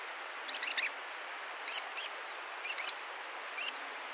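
A water pipit gives thin, high, squeaky notes in short bursts of one to three, spaced about a second apart, over a faint steady hiss.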